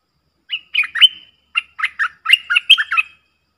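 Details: Streak-eared bulbul pair in a fierce singing duel, recorded 30 October 2021 as a lure song: bursts of short, bright chirped notes in quick runs, some ending in a sliding whistle, two clusters over about three seconds.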